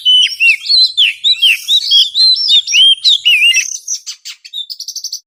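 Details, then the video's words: Oriental magpie-robin sound used to lure birds for trapping: clear, bright whistled phrases repeated about four times a second, looping up and down, then trailing into quicker thin chips and a short high trill. "suara ampuh pikat burung Kacer"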